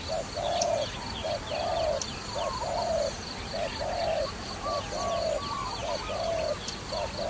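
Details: Repeated low coos from a dove used in trapping, with short and long notes in a fairly even rhythm. Faint twittering and occasional clicks sound higher up.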